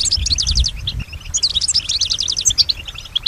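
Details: Singing female European goldfinch that imitates the sounds around her; quick repeated twittering notes in fast series, a short break, then another lively run of tinkling chirps, with low rumbling noise early on.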